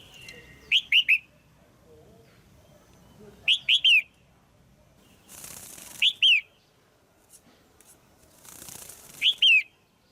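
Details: Female red-whiskered bulbul, calling to excite a male or for pairing, repeats short clusters of two or three bright, falling chirps roughly every three seconds; brief rustling or flapping noises between phrases.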